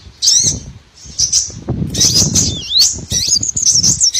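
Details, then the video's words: Small birds' calls used as a lure for trapping all kinds of small birds: high, thin twittering notes and squeaky sweeps, some swooping downward, in bursts with short gaps, over faint low rustling noise. "MP3 BURCIL COCOK UNTUK PIKAT SEGALA JENIS BURUNG KECIL"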